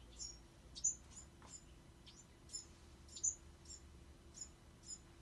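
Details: Bewick's wren fledglings giving short, high, thin chirps and downward-swept tweets, irregularly spaced about twice a second, over faint low background hum.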